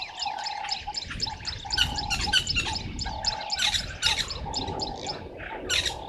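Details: Red-billed buffalo weavers at a Sabi Sand waterhole in South Africa, 05:30 on 11 August 2023, gathering nest material: loud scratchy chattering in uneven clusters, some bursts harsher, with a steady lower whistle from another bird beneath.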